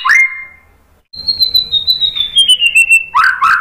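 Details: White-rumped shama singing loudly as a lure for other birds. A long thin whistle slowly slides downward, set between short, lower, rich phrases.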